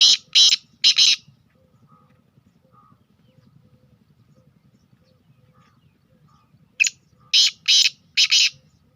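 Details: Sindhi black francolin, called a speeder, gives a few harsh, grating bursts close together at the start, then a quiet gap with a faint low hum, before another run of four rasping notes near the end.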